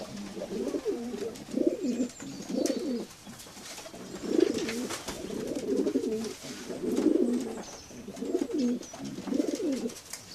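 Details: Rhythmic deep pigeon coos repeat roughly every second, low and throaty with a rolling tremor, several birds calling over soft room noise.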